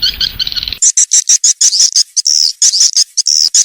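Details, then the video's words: Swiftlet call used to draw juvenile swiftlets into a new nesting house: a short lower chattering, then rapid, very high, clipped chirps, about three per second. "suara walet terbaru 2021"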